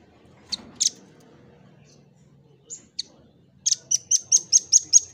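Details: Velvet-fronted nuthatch (rambatan paruh merah) in a tutor recording for training birds, singing vigorously: a few scattered sharp high chips, then a fast run of seven piercing high-pitched notes, evenly spaced about every quarter second.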